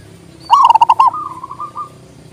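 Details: Zebra dove, local type, singing one quick burst of clipped, bell-like coo notes that trails into a fading rolling trill; played as a tutor song to rouse lazy doves and attract others.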